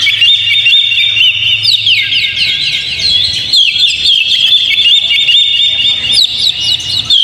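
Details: Lure recording of an Oriental magpie-robin: dense high whistles and fast sweeping notes, with sharp rising strokes toward the end and a faint low hum beneath.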